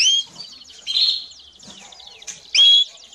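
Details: Singing and calling canary, a training recording for young birds: high whistled notes, a quick rattling trill and loud sharp bursts at the start, middle and end.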